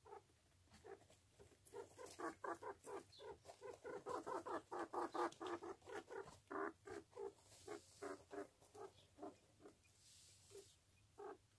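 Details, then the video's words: Jumbo quail with its chicks, many short peeping calls repeated about twice a second in a fast, uneven stream, fading near the end. "Gurk Jumbo Bıldırcın ve yavruları"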